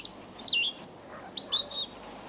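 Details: European robin in a British garden, a bird that sings in most months, singing a short run of high, thin, liquid phrases, sliding and warbling between very high notes, over a soft background hush.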